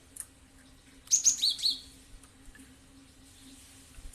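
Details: Cinereous tit (gelatik batu) call used as a lure to make other birds respond and start calling: after a quiet start, a quick run of four thin, high chirping notes, then faint rustles and silence.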